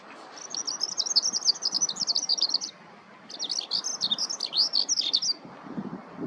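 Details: Eurasian skylark singing while foraging in a ploughed field: two bursts of rapid, high, twittering warbles, each about two seconds long, separated by a short pause, over a faint low rumble.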